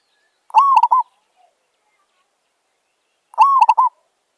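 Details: Zebra dove (merbok) calling in a village setting: two short cooing phrases about three seconds apart, each a rising note followed by quick stuttering coos, clear against silence.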